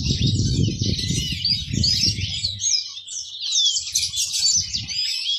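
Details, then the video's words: Fluent high warbling from a pet yellow-fronted canary, a finch from outside Indonesia, full of quick rising and falling slurs; loud low rumbling noise covers the first half, then softer knocks. "Ocehan burung mozambik"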